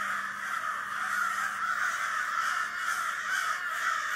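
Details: A flock of birds at APNB making a racket: a dense, continuous din of overlapping harsh calls forming a steady mid-pitched roar with no pauses, many birds calling at once.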